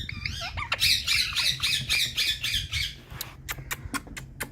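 An Indian parrot gives harsh, wavering screeches, then a quick run of short, clicky plinks that imitate dripping water.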